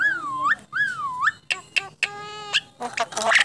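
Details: A talking starling, a contest champion, gives two swooping whistles that dip and climb, then clipped harmonic notes, a level buzzy tone held about half a second, and a final burst of harsh, noisy chatter.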